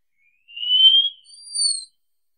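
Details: Wallcreeper (Tichodroma muraria) song phrase: a slowly rising thin whistle followed by a higher, pure, level whistle, clean and isolated.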